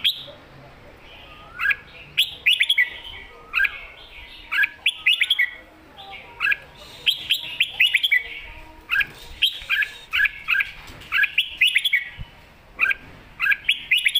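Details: Red-whiskered bulbul singing lively in the mae bot sap krajai song style: short bright whistled phrases that bend up and down, delivered in quick clusters separated by brief pauses throughout.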